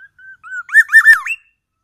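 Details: Black-naped oriole from Aceh, Sumatra, imitating oriental magpie-robin: short level whistles leading into loud, harsh looping notes and a final upward-sweeping whistle.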